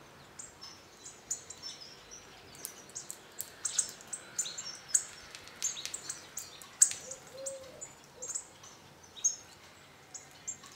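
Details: Hawfinch flock feeding at a garden feeder in northern Hungary. Many quick clicks and high, thin ticks scatter irregularly, with a brief low hooting note partway through.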